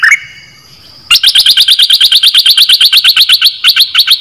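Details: A decoy bulbul, one of three kept as callers, gives a slurred whistle and then a fast run of sharp repeated notes, about three per second, loud and evenly spaced for three seconds.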